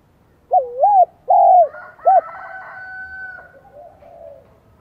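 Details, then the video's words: Spotted dove with a high-pitched 'giọng son' voice, the local name for a high, bright cooing style: two rounded, wavering coos and a short third note, then a long, faint sustained tone. "Tiếng chim cu gáy Giọng Son chớm nổi kích bổi"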